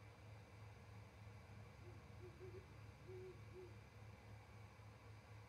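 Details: At 07:25 in Charlo, Montana, a great horned owl pair on a camera-watched perch trade calls before roosting. Faint deep hoots come in two small groups midway, under loud steady pulsing hum.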